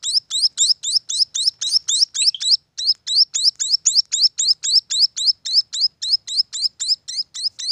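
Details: Munia chicks calling: a fast, steady series of high, thin chirps, each a short rising note, about four per second with one brief pause.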